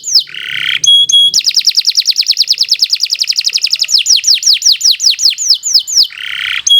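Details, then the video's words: Lively canary singing to train other canaries delivers a long rapid chain of high whistled downslurs that slows into wider-spaced sweeping notes, framed by short buzzy phrases. "Kicau Burung Kenari 80 II GACOR PANJANG Cocok untuk Masteran"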